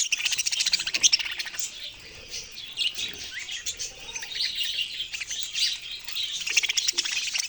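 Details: A group of budgerigars chirping continuously, with busy, high twittering and rasping notes that swell louder near the start and again toward the end.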